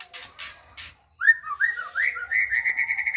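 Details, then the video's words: White-rumped shama opening with a few short buzzy bursts, then a silence, followed by slurred whistled notes that settle into a steady run of rapid repeated pulses. "Muraibatu Seri F"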